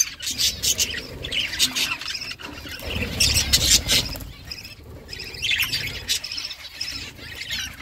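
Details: Budgerigar mother feeding chicks: bursts of harsh, scratchy chirps in clusters, with a low rumbling thump under a louder burst around three seconds.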